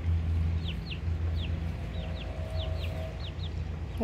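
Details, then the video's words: Two-week-old baby chicks in the USA, three white and one black, described as already fighting; about a dozen clear, short, high peeps that slide downward, spaced irregularly, over a steady low hum. "Baby chicks- 2 weeks old/ Kurczatka"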